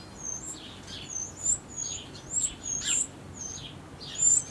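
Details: Eurasian wren chicks being fed by adults in their last feedings before fledging, a few hours before leaving the nest; very high, thin, short calls and buzzy bursts repeated through the clip, some sharp downward-sweeping notes.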